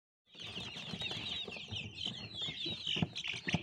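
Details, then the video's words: Baby chicks in a dense chorus of high, overlapping peeps, each a short falling chirp, running nonstop for about three seconds, with soft low thumps and scratching underneath. "Baby Chicks"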